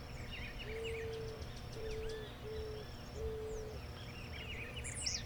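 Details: An eared dove (Zenaida auriculata), a gregarious Brazilian bird, gives four soft, low hooting coos about a second apart, over busy chirping and twittering from other birds and a faint hum.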